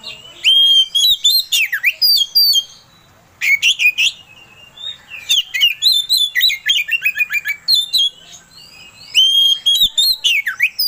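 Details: Oriental magpie-robin (kacer) song played as a lure to provoke another bird into singing: loud, varied phrases of sharp whistles, slurred sweeps and rapid chattering notes in bursts separated by short pauses.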